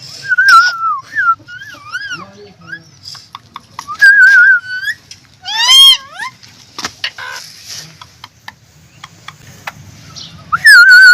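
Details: Green ring-necked parrot talking and whistling: loud warbling whistled phrases recur every few seconds, mixed with clicks, a scratchy rising call and soft chattering syllables.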